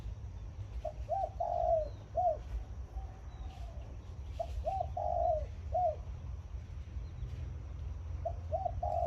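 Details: Decoy zebra dove in morning khan yon song, three phrases in about nine seconds. Each has two clipped notes, a long rolling coo and a separate drooping end note. Low steady background drone.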